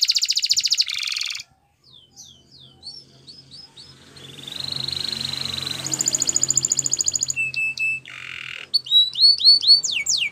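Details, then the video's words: Training song of a Spanish Timbrado canary: high trill, scattered chirps, a long level rolling trill, a steady low whistle, then quick descending slurs. "Canary Singing Training Video"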